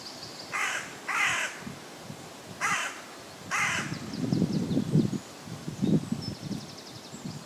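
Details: In a West Sussex forest in England, a common raven calls from a tree: four coarse, grating caws in two pairs, followed by low rustling and knocking sounds.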